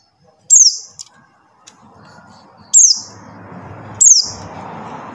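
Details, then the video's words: Buxtoni white-eye call, played to lure silent white-eyes into singing: three sharp, high, thin whistles, each sliding steeply downward, spaced irregularly over a soft background hiss. "suara CALL PLECI BUXTONI | untuk pancingan PLECI MACET BUNYI"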